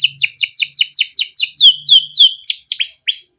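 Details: Captive male canary singing a long 'cuit cuit ngerol' song, recorded as a master to train young canaries: rapid series of downslurred chirps, about three a second, ending in drawn-out sweeping whistles and a few sharp upslurs.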